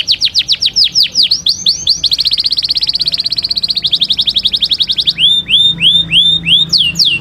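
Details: Canary in Taghreed style, a song for teaching young birds: rapid series of downward-sweeping notes, then a fast even rattle-like trill, ending in slower rising-and-falling upswept whistles, all clear and high.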